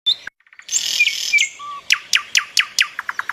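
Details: Birds chirping: a quick run of sharp high chirps, then a buzzy trill and a short low whistle. These lead into a steady series of about ten sharp downslurred chip notes, repeated several times a second.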